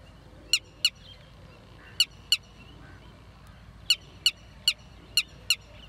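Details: Red-wattled lapwing, known locally as tateri, giving sharp, high, clipped notes in pairs, spaced about one to two seconds apart over a quiet background hiss.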